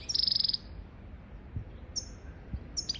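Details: European goldfinch song used to teach goldfinches and canaries to sing: a fast, high, even trill lasting about half a second, then a pause and two brief bright high notes, over a quiet low rumble.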